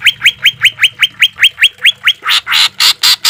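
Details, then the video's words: Green leafbird, recorded as a master song for caged birds with trickling water: evenly spaced upslurred whistles, then a switch to loud, broad, rasping harsh notes at the same quick tempo. "Suara cucak ijo full isian suara kasar tembakan gemericik air"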